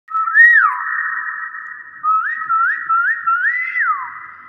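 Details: Common hill myna, subspecies intermedia, from Thailand: clear whistled notes, one rising and falling, then a run of short upward-swooping whistles with strong room echo.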